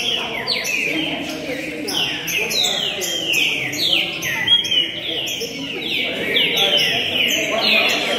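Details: A green-winged saltator, a Rio de Janeiro runner-up competition bird recorded 26 June 2021 singing 246 songs, sings loud, rich whistled phrases that slur downward, repeated about every half second, over a faint murmur of voices.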